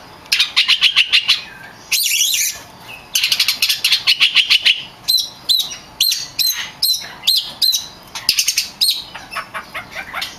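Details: Oriental magpie-robin, a champion kacer singing for training songbirds: rapid repeated chattering notes in fast series, a harsh burst, then a string of sharp whistled phrases.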